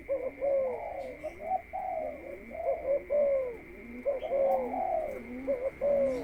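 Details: Spotted dove in a cage, a ground decoy prepared before going into the breeding cage, repeats hoarse, low rolling coos about once a second in a steady series. A constant thin electrical whine is audible in the background.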